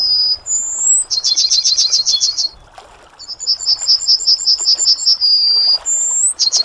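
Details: Yellowhammer: rising whistle, then a rattle of about ten quick high notes, a pause, a second series of repeated notes closing on a long thin drawn note, and a new phrase starting.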